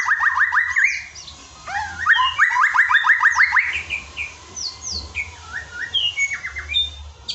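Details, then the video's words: Murai batu, a white-rumped shama, singing a training song for a lazy caged bird: loud varied whistled phrases, a rapid run of repeated clear notes, then sliding and rising whistles, over a steady low hum. "LATIHAN ISAN KICAU UNTUK MURAI BATU YANG MALAS BUNYI"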